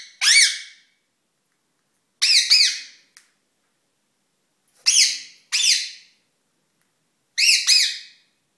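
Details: Indoor pet ringneck during courtship display, giving shrill double squawks, each note sliding down and trailing off, in four bursts spaced about two to three seconds apart, plus a faint click.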